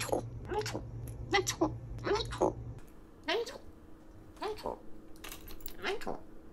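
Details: African grey parrot kept as a pet mimicking the word "metal" over and over, short clipped syllables spaced roughly half a second to a second apart, a person's voice and a low room hum underneath.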